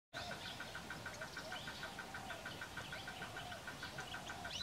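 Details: Lesser whistling duck (Dendrocygna javanica), call.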